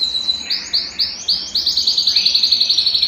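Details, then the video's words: ['Belgian canary singing to stir a cold canary into song. Separate high swooping whistled notes quicken into a fast, even, ringing trill of about eight notes a second.'] "Canario Belga Cantando - Canto de Canário Belga para Esquentar Qualquer Canário Frio"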